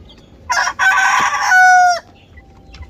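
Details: A rooster in South Korea gives a single crow of about a second and a half: a harsh, broken opening, then a long held note that drops slightly and stops abruptly.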